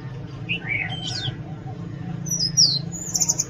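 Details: Oriental magpie-robin song: a few rich, modulated whistles, then a slurred, falling high phrase and a short, fast, high trill.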